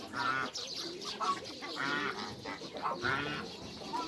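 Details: Backyard pair of geese, African male with Toulouse female, kept together to breed hybrids: a run of harsh, nasal honks comes in short, irregular bursts about every half second to second, over steady farmyard background noise.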